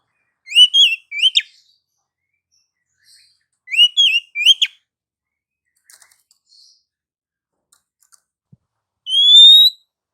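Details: Female Oriental magpie-robin singing to stir lazy, quiet males: quick bursts of sweet twisting whistled phrases, two clusters a few seconds apart, then one long clear rising whistle near the end.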